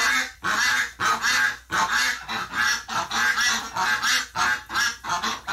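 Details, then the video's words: Distressed ducks after one of their flock died in hospital, live stream of November 30, 2018: long, drawn-out, harsh nasal calls that overlap and run together, broken by brief gaps. "Duck Dies in the hospital, rest of the ducks freak out"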